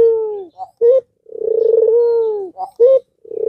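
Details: Albino Barbary dove giving its call to spur other doves into calling: a sustained low coo that sags at the end, then two quick, sharp, slightly rising notes, then the next coo begins.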